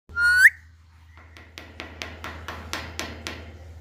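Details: Alexandrine parakeet giving one loud, rich whistle that slides upward and ends abruptly, followed by a run of sharp, evenly spaced clicks about every quarter second, over a steady low hum.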